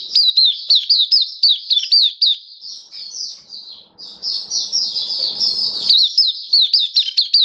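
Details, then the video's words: Oriental white-eye (Mata Puteh, Kitaro type), a kept bird in full song, recorded 27 October 2022: high, sharp rising-and-falling chirps repeated in quick series, with a brief low rustling noise midway. "Mata Puteh Kitaro Buka Sing"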